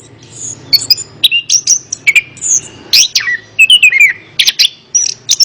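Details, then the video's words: Orange-headed thrush (anis kembang) song used as therapy to coax a reluctant bird into singing: quick run of high whistled notes, short slurred rising and falling phrases with sharp chips, near-continuous, faint low hum beneath. "Terapi Burung Anis Kembang | Atasi Burung Anis Kembang Malas Bunyi Ikut Nyaut"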